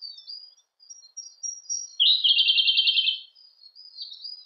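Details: Song of a Siberian blue robin: scattered thin high whistles lead into a loud, rapid, even rattle-trill of about a dozen notes, then high twittering resumes.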